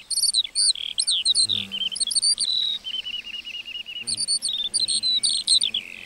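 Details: Lark in a meadow delivering an energetic song of high chirps and whistles, with a long run of repeated rattling notes in the middle before the fast warbling resumes.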